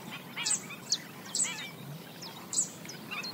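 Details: Black-winged stilts foraging along the banks of a swamp give sharp, harsh yapping notes in short bursts, about four loud calls over three seconds with a soft hiss between them.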